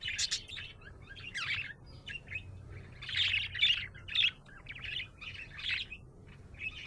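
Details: Happy budgie chirping in bursts: scratchy warbled phrases and brief trills separated by short pauses, loudest in the middle, with a faint low hum behind.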